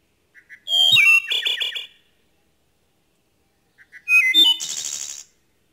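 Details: Wood thrush, a threatened species, singing in natural habitat in Centre-du-Québec, Canada, during a field survey. Two phrases about three seconds apart, each opening with soft low notes, then a clear fluting whistle and a buzzy, trilled high flourish.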